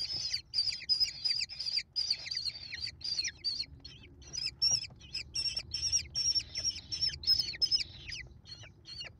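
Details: High shrill calls from five American kestrel chicks being fed by their mother, 28 May 2021; fast repeated squealing notes with drooping tails, a brief lull midway, then renewed bursts.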